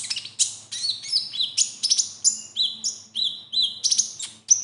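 A fast, high, varied sunbird song of sharp chirps, trills and whistled phrases, some borrowed from other birds, delivered in quick bursts with barely a pause.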